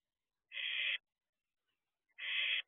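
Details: Barn owl owlet looking around outside its owl box at 4:31 am, dated 6/2/23: two harsh, breathy hissing screeches of about half a second each, roughly 1.7 seconds apart, in an otherwise quiet night.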